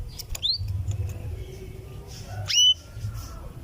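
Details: Cuwit call of a female canary calling the male: a short upsweep early on, then a loud, clear rising whistle midway, with quiet chirps and low hum around it.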